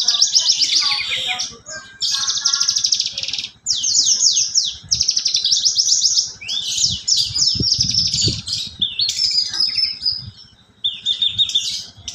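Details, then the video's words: Caged branjangan (Javan bush lark) of the parva type, kept at a home, singing vigorously in a style imitating sparrows and canaries: continuous high, rapid chattering trills and sweeping phrases with brief pauses, over a faint low background hum. "branjangan parva gacor rasa greja dan kenari"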